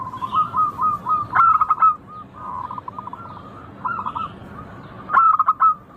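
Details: Local zebra dove song with crisp, bouncing staccato coos: a loud pulsed phrase around 1.4 seconds and again near 5 seconds, softer cooing between them.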